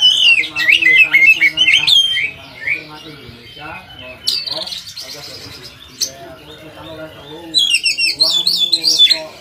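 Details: Kacer, the Oriental magpie-robin, singing a lively song meant to teach other kacer birds: fast looping whistled phrases, a quiet stretch mid-clip, then a renewed burst of bright twittering notes.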